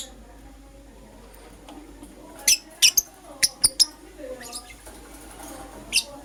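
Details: Morning calls of pet lovebirds, Euwing green opaline and lutino: after a quiet start, a quick series of sharp, high shrill chirps comes in uneven spacing, then one more near the end.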